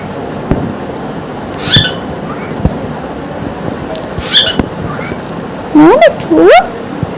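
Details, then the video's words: Talking parrot in the morning, repeating words: short muffled speech-like syllables, then two loud rising, wavering squawk-like notes near the end, with indoor background noise. "non stop talking parrot"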